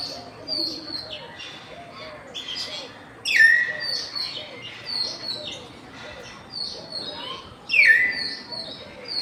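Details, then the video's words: Several common hill mynas calling on a campus in afternoon light, 6 February 2024: a mix of soft chatter and high squeaky notes, broken twice by a loud, sharp downward-slurred whistle about four seconds apart, with other birds faintly behind. "common hill mynahs in afternoon light"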